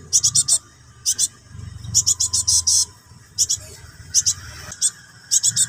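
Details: Harsh nyerecet begging from a cinereous tit chick calling its parent: rapid bursts of scratchy hissing notes, four or five per cluster, over a constant low rumble.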